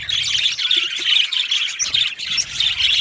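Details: Budgerigars in an aviary colony chirping happily at close range: loud, rapid, high tweets and squeaks layered over one another in a dense, excited chatter.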